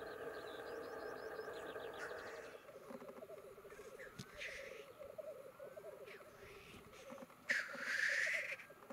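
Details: Black grouse (Lyrurus tetrix) males displaying at a lek in 2022 give a low, continuous dove-like bubbling and rookooing, broken near the end by harsh hissing sneezes; another bird sings briefly at the start.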